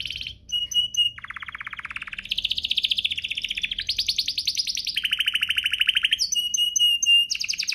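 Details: Canary song aimed at getting other canaries to sing: continuous chain of buzzy trills shifting pitch every second or so, with thin high whistled notes between.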